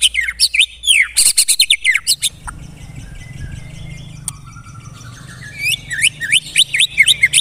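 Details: White-rumped shama singing 'tembakan rapat': rapid loud chirps and harsh bursts, then a quieter stretch of thin high trills over low background rumble, closing with a fast run of sharp upslurred notes.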